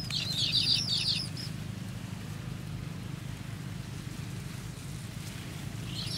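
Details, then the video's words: Baby golden sparrows waiting to be fed give a quick burst of high, squeaky, repeated chirps for about a second and a half. Then the chirps stop, leaving a steady low hum, and a faint chirp returns at the very end. "Baby Golden Sparrow's Anticipation: Waiting for Bay's Feed"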